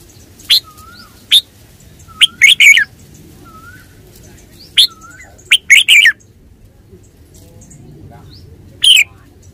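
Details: Red-whiskered bulbul repeating short lively phrases of chirpy whistled notes about every three seconds, interleaved with soft low curling whistles from another bird in the background.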